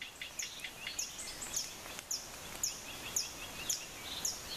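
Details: A Black-headed tody-flycatcher near Lake Arenal, Costa Rica, gives a series of thin, very high, slightly falling notes about twice a second over a steady background hiss.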